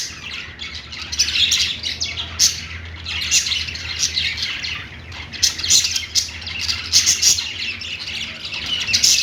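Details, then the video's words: Budgies kept as pets chirping and singing on a perch; continuous twittering chatter mixed with sharper squawk-like notes, growing busier in the second half, over a steady low background hum. "budgies singing on perch | parakeet chirping sounds"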